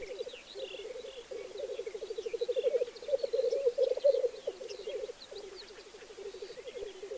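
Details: A displaying black grouse at the lek keeps up a continuous low, throbbing, bubbling murmur that swells to a peak midway and then softens, while scattered high chirps of other birds sound in the background.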